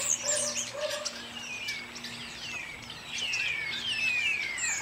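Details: Starlings singing together in chorus on a warm summer's day in Ireland: a dense mix of whistled slurs sweeping down, clicks and chattering notes, with a low steady hum underneath.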